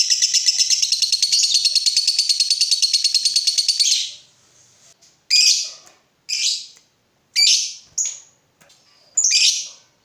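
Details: Lovebird giving a long ngekek trill, used as a lure to make other lovebirds answer and sing. A steady, shrill, rapid trill lasts about four seconds, followed by short harsh squeaky calls spaced roughly a second apart.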